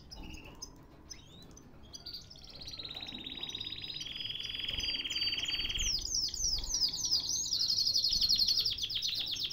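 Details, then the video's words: Canary in song, from a breeder in Baghdad, Iraq: a long mechanical trill held for several seconds, then shifting into fast, loud, sharp chopped notes that grow stronger toward the end. "تغريد كناري"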